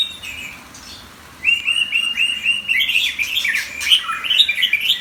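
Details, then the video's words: White-rumped shama, an eight-inch competition bird, sings after a quiet start: a run of clear repeated whistled notes, then a fast, varied, high tumbling phrase of chirps and sharp sweeps. "Shama bird 8” competition bird"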